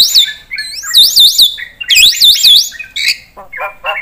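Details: Javan pied starling giving loud, high looping whistles that swoop down and up in quick series, interspersed with harsher squawky notes and short lower chatter.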